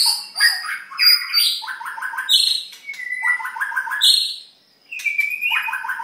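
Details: Three white-rumped shamas singing: loud, rich whistled notes alternate with quick rattling trills of repeated descending notes, phrases following closely with a brief pause near the end, on a clean, quiet background.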